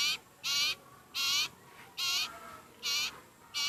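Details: A very hungry sirpu bird begging: harsh, raspy, broadband bursts, each about a quarter second long, repeated at uneven intervals of roughly half a second to a second, over a faint steady background hiss.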